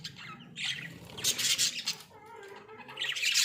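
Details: Pet Australian budgerigars in a small cage: loud, raspy high squawks in bursts, a brief softer warble in between, then another harsh squawk at the close.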